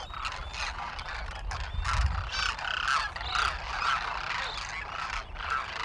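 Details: Large wintering flock of Demoiselle Cranes foraging near villages and fields in Rajasthan, north India, a dense overlapping chorus of rolling, croaking calls from many birds over a low rumble of wind.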